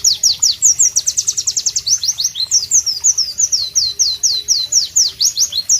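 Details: White-eye (Pleci) singing loudly in a tropical setting: a fast, unbroken run of high, sharp, downslurred whistled notes, about five per second, shifting between note shapes, with a faint low hum beneath.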